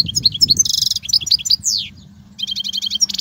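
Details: European goldfinch song for teaching young goldfinches: rapid high twittering of varied notes, liquid trills and a descending slurred whistle, with a brief pause before more chattering trills.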